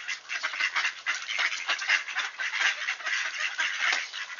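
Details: A group of wood ducks in Sainte-Adèle, Quebec, gives dense, overlapping high squealing calls without pause. Recorded on 18 October 2024 at 7:53 AM, clear weather, 1°C.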